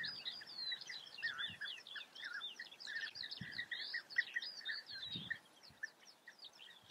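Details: European bee-eaters calling: a steady stream of short, burry notes near the middle register, overlapped by thinner, higher chirps from other birds and a few soft low thumps.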